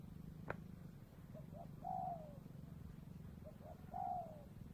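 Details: Spotted dove in the afternoon at the Cambodian border, where doves are being trapped; two phrases of faint pick-up notes then a long, gently falling coo, plus one sharp click and a low drone.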